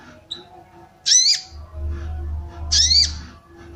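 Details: Female sooty-headed bulbul giving arousal calls for males; a tiny chirp, then two strong rasping arched calls roughly one and a half seconds apart, low droning hum behind.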